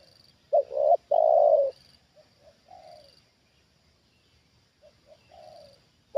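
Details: Trained spotted dove answering a wild bird lured down for a second time: one strong phrase of a quick note and an extended coo, then several quieter, short-then-long coo groups, over a steady high-pitched background hum.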